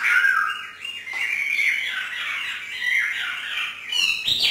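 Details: Hwamei kept caged in northern Vietnam, let loose in 'hót thả' free singing: an unbroken, slightly harsh warbling stream of mid-pitched notes ending in a sharp upward flourish.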